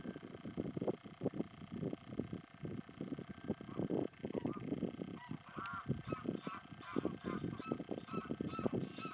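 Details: Common shelduck (Tadorna tadorna) at the Soča river mouth nature reserve, 17 March 2023, gives a fast, throaty run of cackling, goose-like notes, with a few higher, nasal honks joining partway through.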